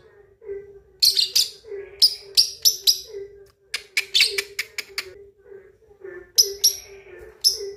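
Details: A 2.5-month-old lovebird practising its ngekek chatter, meant to rouse rival birds: quick clusters of sharp, scratchy high chirps, several in fast succession, pausing briefly and resuming, with a constant low droning hum behind.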